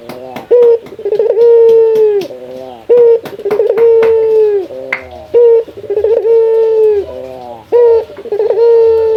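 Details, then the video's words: Male local Barbary dove calling out to a rival, with a short sharp note and a bubbling stutter before each long, steady coo, in a regular repeating cycle. "Suara mewah jago memanggil lawan"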